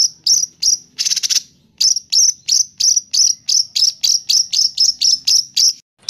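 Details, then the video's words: White-rumped shama singing agitatedly, in a recording meant as a tutor for other birds: fast, sharp high notes repeated about three times a second, with a brief harsh rasping burst near the start. "MASTERAN MURAI BATU GACOR ! LANGSUNG NYEMPLONG & EMOSI !!!"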